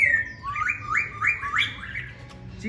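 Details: Tame caged black-throated laughingthrush said to sing all day: a series of five rising whistled notes in steady rhythm, each slurring upward, with low background rumble.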